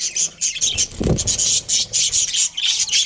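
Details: Australian budgies from a breeding pair give quick repeated high chirps about one and a half per second, a low thump in the middle.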